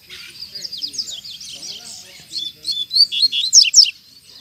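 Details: A double-collared seedeater, released outdoors in a town square, sings hard: a fast, high run of twittering, slurred notes that grows louder toward the end, with faint voices underneath.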